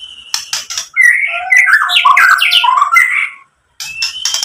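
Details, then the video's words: White-rumped shama song played to provoke other shamas: opening dry ticks, then a dense tumble of varied whistles and chatter, a brief pause, then more ticking. "SUARA MURAI BATU memancing EMOSI jadi BUNYI NYAUT GACOR BONGKAR ISIAN | PANCINGAN MURAI"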